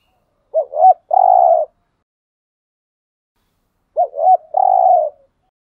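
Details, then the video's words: Spotted dove cooing used as a decoy to attract wild doves: two clear phrases, each two quick curved coos then a drawn-out mellow hoot, about three and a half seconds apart in silence. "chim cu gáy kích bổi thúc gù/ chim cu gáy mồi bài bản [ thúc gù. gáy gọi ]"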